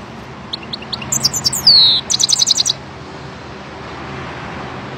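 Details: Goldfinch singing a short, bright phrase: a few sharp high chirps, then a slurred note sliding downward, then a quick run of evenly repeated twittering notes. It stops after about two seconds over a steady low background hum.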